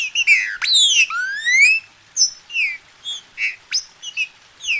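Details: Green-winged saltator from captivity in Brazil, used to warm up a singing bird: a dense burst of strong whistles with a long rising slur, followed by spaced, shorter downslurred notes.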